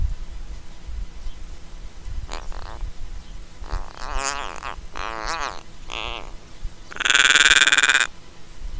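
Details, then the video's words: Australian Little Raven caught on a trailcam at Mannum, South Australia, fluffing its head feathers and ruffling its throat hackles: a run of creaking, grating notes with wavering harmonics, ending in a loud, buzzing rasp lasting about a second. "Australian Raven Making Creaking Sounds"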